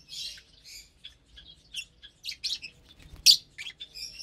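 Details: Lovebirds calling while they eat a morning meal of vegetables and seeds. Scattered, thin, high chirps build to one sharp, loud squeak near the end, followed by softer twittering.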